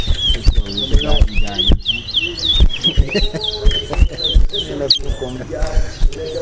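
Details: In a Linden, Guyana bird race, a large-billed seed-finch (towa towa) gives choppy, upslurred whistles in quick series. Men talk and exclaim loudly over the singing, and thumps and music are also heard.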